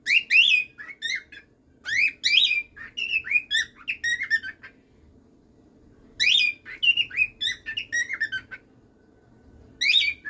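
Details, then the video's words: Pet cockatiel song: lively, dense phrases of harmonic whistles that swoop up and down, in several bursts with brief silences between, sounding clear in a quiet room. "canto de cacatúa ninfa"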